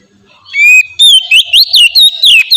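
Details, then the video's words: Oriental magpie-robin lure song: after a brief quiet start, a sustained whistle gives way to a string of rapid, evenly spaced chirped notes with wavering whistled tones. "suara burung kacer ngeplong merdu sangat ampuh buat pancingan kacer bahan bikin cepat gacor"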